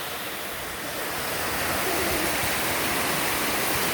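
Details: Steady, dense rain noise, a broad rushing hiss that grows slightly louder after the first second, with no animal call standing out.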